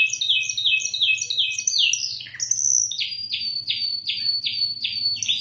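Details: Spanish timbrado canary singing in Indonesia: bright metallic trills, a run of rapid repeated downslurred notes, then a long clear whistled note at about 2.5 seconds, followed by slower descending ringing phrases; faint low hum beneath.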